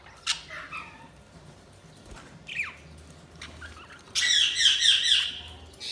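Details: Budgerigar chirps: a few isolated squawks and a falling whistled note, then a dense rapid warbling chatter over the last two seconds.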